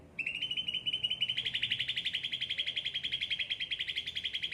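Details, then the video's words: A long continuous trill from a well-cared-for cucak ranting, starting thin and steady, then turning louder and fuller for the rest of its four seconds with evenly spaced rapid notes. "gacor cucak ranting"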